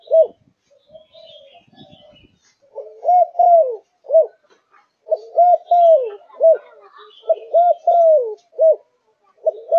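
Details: Kept Malaysian zebra dove in peak singing form, delivering short rolled, rising-then-falling coos in quick clusters of two or three, with brief pauses between bursts and faint background rustle.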